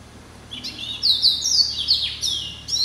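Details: Hybrid finch bred from Yellow-eyed canary and Timbrado, kept indoors since January 2013: after a quiet start, a continuous stream of high, liquid whistled notes with swoops and falling slurs.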